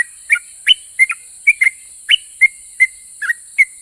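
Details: A vocal yellow-vented bulbul whose song makes other bulbuls answer: spaced, clean whistled notes, mostly short level or upslurred, occasionally doubled, about ten in under four seconds, against a faint steady hiss.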